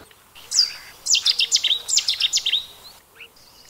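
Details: Eurasian Nuthatch, often heard before it is seen, giving fluted calls: a series of about ten sharp, clear, rapidly repeated whistled notes over two seconds, after one higher opening note, in a quiet background.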